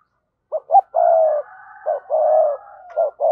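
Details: Spotted dove used as a decoy bird to provoke wild doves, giving paired coos: short low notes then long drawn hoarse coos near 700, repeated in a broken phrase, with a fainter second dove calling behind.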